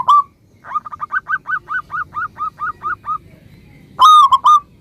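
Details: Vigorous song of a local zebra dove, meant to make other doves answer instantly: one clear note, then a quick even string of about fourteen softer notes, and finally three loud, ringing whistles.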